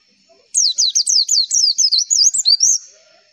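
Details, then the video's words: Javan white-eye (pleci) lure song meant to make every pleci answer: a fast run of roughly a dozen high, wavering, downslurred whistles lasting over two seconds, in a quiet setting. "MASTERAN AMPUH PLECI, Klik sekali semua pleci pasti nyaut"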